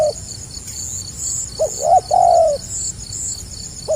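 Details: One phrase of spotted dove song in the gagap rapat selang nguku manner, a hiccuping low note, a brief rise, then a long sliding coo, crickets droning steadily throughout.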